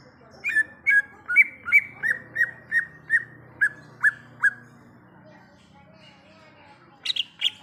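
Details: Wild greater green leafbird giving a steady run of about eleven clear whistled notes, each dropping in pitch, spaced under half a second apart, then a pause and a few higher chirps.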